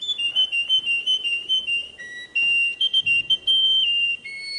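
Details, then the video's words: Russian canary song of sustained clear whistles, pulsing in short bursts, then longer steady tones, one stepping down and another rising near the end. "SUARA BURUNG KENARI RUSIA"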